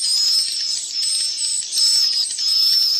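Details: Three seconds of swiftlet chick calling: a continuous high twittering with drawn-out thin whistles recurring about every second, their loudness rising and falling gently.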